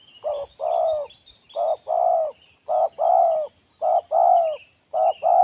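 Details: Wild spotted dove, described as lacking confidence, calling in loud repeated paired coos: a short note then a longer falling one, roughly once a second, clean background.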